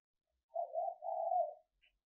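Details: Calling hen dove meant to lure males, captured for decoy training: a quiet, smooth low coo in two linked parts lasting about a second, with a brief faint high tick afterwards.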